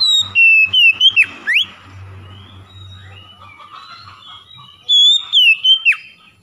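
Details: Oriental magpie-robin song used to trigger singing in silent birds: a loud whistled phrase of stepped, falling notes ending with a steep downward slur, a quieter warbling interval, then the same phrase again.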